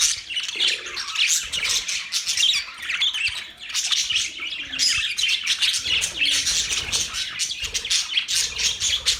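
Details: Loud, unbroken budgie chatter: many high chirps and scratchy warbles overlapping, pulsing in bursts throughout.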